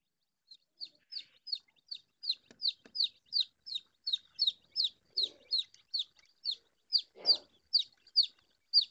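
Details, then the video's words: Chicken chicks peep steadily in high, sharp, downward-slurred cheeps, about three a second, with a few soft thumps and a brief scrape in the background. "Suara anak Ayam"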